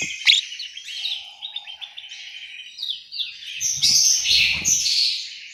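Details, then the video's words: Orange-headed thrush singing in an aviary in Malang, East Java: a continuous, varied warbling of high, buzzy and whistled phrases, with brighter, louder notes near the end and a few low thumps underneath. "suara burung anis merah"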